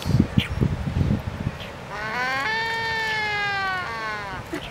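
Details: Waved albatross on Española in the Galápagos, nesting bird during its courtship dance, gives a long, drawn-out, nasal moaning call lasting about two seconds that dips slightly in pitch. Low knocking and clattering sounds come before it.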